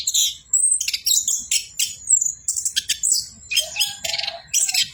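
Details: An orange-headed thrush sings nonstop ('bocor') in about one phrase per second, mixing sharp high chirps, buzzy bursts and a short lower whistled note near the end.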